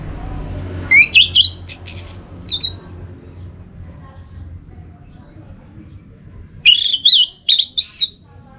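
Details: Orange-headed thrush song, recorded in Singaraja, North Bali, and used to stimulate caged birds to sing in the morning: two bursts of loud, varied whistles and short warbling notes, separated by several seconds of quiet low hum.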